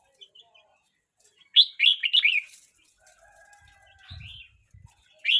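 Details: A young red-whiskered bulbul, 12 months 29 days old, sings one lively phrase of four or five bubbly slurred whistles, then softer notes over faint thumps. A new phrase begins at the end.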